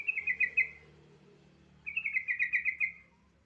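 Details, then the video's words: Yellow-vented bulbul singing a prompting song for untrained bulbuls: two loud, rapid bubbling phrases of quick warbled notes, the second longer, with a low hum beneath. "Suara pancingan AMPUH burung trucukan bahan"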